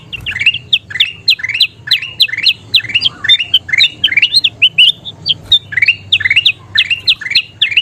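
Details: Gacor kutilang emas bulbul song meant for tutoring other songbirds: lively stream of sharp, clipped whistles and rising chirps, phrases repeating briskly throughout with a brief pause near the middle, faint low rumble beneath.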